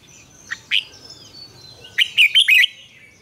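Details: Morning song of a red-whiskered bulbul in the mature wild double-note style, used as a lure for training: two soft notes, a pause, then a fast burst of four bright, clear, ringing notes over faint background noise.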